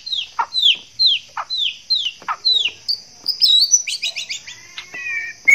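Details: Male white-rumped shama in breeding condition, courting a female, repeats a sharp downslurred note about every half second, then breaks into a jumbled high chatter and whistles, with a steady hiss underneath.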